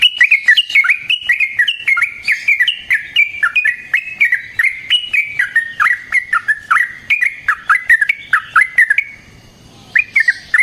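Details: Long, rolling fighting song of a yellow-vented bulbul, a lure to provoke other birds to reply: a dense chatter of short clear warbled notes for about nine seconds, then a brief pause and a few more notes.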